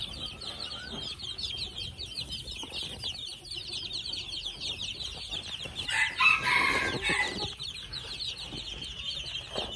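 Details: Two-month-old red junglefowl chicks giving a dense stream of short, high, downslurred peeps, about four per second, with a brief louder, harsher burst in the middle.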